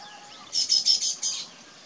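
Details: A weaver bird building its nest gives a quick run of five harsh, sizzling chatter notes, high and buzzy, lasting under a second against a quiet background.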